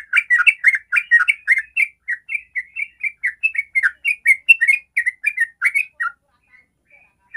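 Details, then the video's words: Sooty-headed bulbul singing the fast 'ropel' song, played to make other bulbuls sing: dense chirpy phrases that slow toward the end, then fall quiet with a few faint notes. "Trucukan manapun langsung rajin ropel pagi siang malam dengan pancingan suara Trucukan ropel ini"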